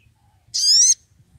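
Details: Sunbird call used as a lure to provoke rival males: one loud, harsh, buzzy note lasting under half a second, high and rasping against a quiet background.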